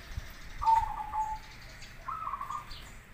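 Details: Master song of a local or crossbred zebra dove, used to provoke other doves into answering: a rippling cooed phrase that falls slightly, a pause, then a second shorter trilled phrase at a higher pitch.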